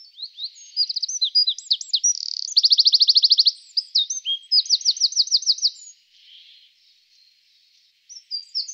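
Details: Male Eurasian wren song, loud and very high: rapid tumbling notes, a dense buzzy trill, another fast rattling trill and jumbled twitters, all delivered in a breathless rush. A pause follows, then a fresh start.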